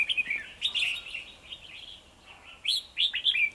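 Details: Red-whiskered bulbuls, two males challenging a decoy bird to fight at a trapping site on 9 December 2020; bright warbled phrases of quick rising and falling notes, loud bursts near the start, middle and end, with quieter chatter between.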